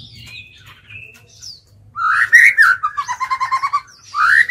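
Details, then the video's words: White-rumped shama used as a decoy singer to lure wild birds: soft high whistles at first, then a loud rising phrase into a quick train of about ten repeated notes and a final upward swoop, with low hum beneath. "Chích chòe lửa mồi hót gọi bổi"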